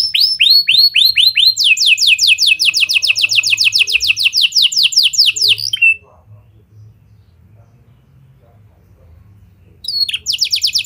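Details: Canary with lovebird and prenjak style song, intended as a lure for other canaries: a few descending whistles lead into a long fast trill of repeated sharp notes, a four-second pause, then singing resumes.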